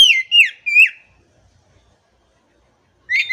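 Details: Oriental magpie-robin singing, for reviving stressed magpie-robins that have gone quiet: three clear whistled notes each sliding downward in quick succession, then silence before another note begins.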